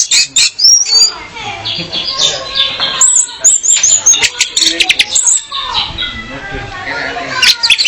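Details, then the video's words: Female orange-headed thrush sings to attract a male, as training audio for keeping males in song. A long, busy stream of high chirps, slurred whistles and sharp ticks pours out almost without pause, with brief quieter gaps. "Kicau Anis Merah Betina Pemikat Anis Merah Jantan Biar Gacor"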